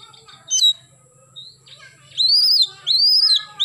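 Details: Oriental magpie-robin singing actively in the morning in the rapid 'nembak' style: a few loud arched whistles rising and falling, each about half a second long, separated by quieter warbles and short gaps.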